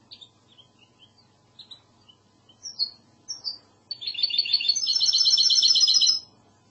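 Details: Goldfinch hybrid (mixto) singing in the classic Andalusian Spanish song style: a few short, separate high chirps and falling whistles, then a fast, dense, buzzy trill held for about two seconds before it stops abruptly.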